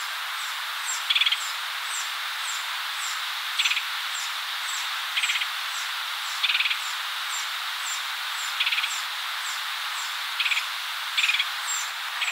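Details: Red-headed Woodpecker at its nest while feeding a chick, filmed from a blind in Cook County, Illinois, in spring 2020. Short harsh, buzzy bursts come irregularly every one to two seconds over steady hiss, with rapid thin high chirps repeating throughout.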